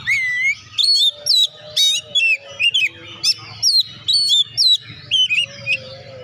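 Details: Oriental magpie-robin in energetic song used to encourage lazy birds to sing: a long run of loud whistled, curling notes and short rasps, about two phrases per second, irregular spacing, low hum underneath.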